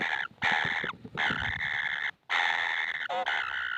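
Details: Baby kingfishers that never seem full beg for food with loud, coarse, rasping bursts about half a second to a second long. The bursts are separated by short pauses, with a brief wavering squeal near the end.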